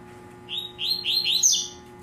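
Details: Caged Double-collared Seedeater, tui tui style, giving four or five rapid, rounded buzzy notes that build to a high sharp whistle, with a faint hum behind.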